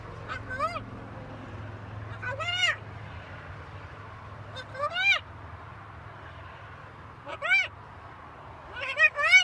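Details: Pet macaw talking on a balcony: five loud, bright, arched harmonic phrases, some doubled, repeated every two to three seconds, with a low hum under the first few seconds.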